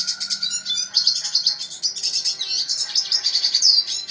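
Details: Red siskin singing in gacor style, meaning lively and nonstop: a dense, unbroken, high twittering of rapid chirps, buzzy trills and short whistled notes for four seconds without a pause. A faint steady low hum sits underneath.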